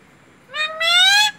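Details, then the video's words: Parrot mimicking the word "mummy": a brief opening note, then a sustained, rising, bright second syllable lasting about half a second, loud and clear in a quiet indoor setting. "मम्मी बोलने वाला तोता"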